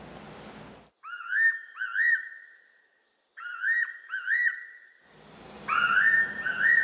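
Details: Fairy Pitta, a summer visitor that breeds on Jeju and is protected in Korea as an endangered species (class II), gives clear, rising-falling double whistles repeated in quick bursts, with faint studio noise before and after.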